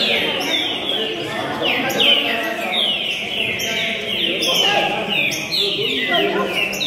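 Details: Green-winged saltator, a runner-up competition bird from Rio de Janeiro recorded 26 June 2021, singing repeated clear descending whistled phrases over a steady, loud background hiss.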